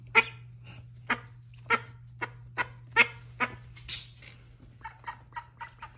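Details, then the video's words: Mother duck with her new babies calls them with evenly spaced harsh quacks about every half second, then softer, quicker notes at the end, over a constant low hum. "Mama call duck and her new babies"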